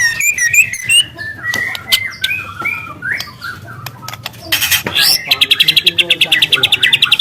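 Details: Spotted young white-rumped shama, wild, mixing short slurred whistles and clicks before breaking into a loud canary-like burst of fast, regularly repeated high notes near the end.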